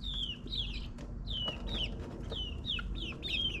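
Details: Backyard chicks, nine weeks old, in suburbia, calling with a run of loud falling peeps, some slurred or wavering, roughly every half second, above a low background rumble.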